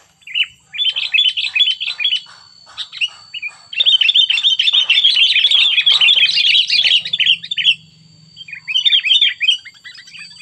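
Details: Sooty-headed bulbul described as very fierce, singing its cengkram-style song: dense, rapid chattering of short sharp notes, with a brief pause before a longer unbroken burst and then a shorter closing phrase.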